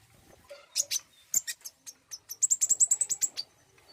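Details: Common iora prompting sound to encourage a bird to sing: irregular high chirps building into a quick, evenly paced series of about ten shrill notes, with faint low background rustle.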